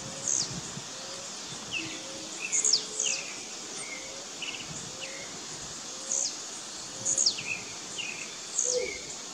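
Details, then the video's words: Blue-black grassquits in a dispute between rivals in the bush: short, sharp, high notes sliding downward, repeated about every second, answered by softer mid-pitched chirps, with faint low whistles from other birds and a steady insect hiss. "Disputa de Tiziu no mato."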